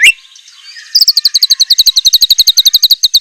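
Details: White-rumped shama (murai batu) singing a fierce 'isian mewah' fill-in song: a soft sliding note, then a rapid run of sharp, high chipping notes, about seven a second, to the end.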